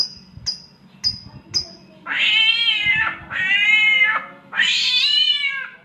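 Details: Clever samyong bird imitating a cat's mating cry: four short, sharp, high whistled pips, then three long, harsh, harmonic meowing wails in a row.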